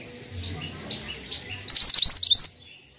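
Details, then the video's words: Singing pied triller: soft chirps, then a loud rapid phrase of about six rising whistled notes over less than a second, fading to quiet. "MANTENAN GACOR"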